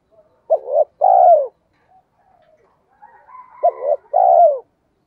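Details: Decoy-style spotted dove cooing in 'giọng thổ' voice, used to stimulate trained doves: two phrases about three seconds apart, a stuttering low opening and a long smooth falling croon, with faint thin background chirps between.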